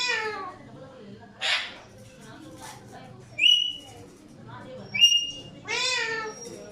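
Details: Alexandrine parakeets calling: drawn-out harmonic calls that slide downward, mixed with brief clear whistled notes and a short harsh burst, set against a low steady indoor hum.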